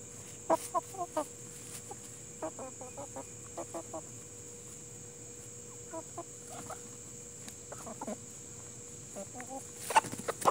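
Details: Farmyard chickens of the Plymouth Rock and Hamburg breeds in a relaxing nature setting, giving short, soft clucks in scattered bursts of two to four notes, with a steady electrical hum and a high hiss behind.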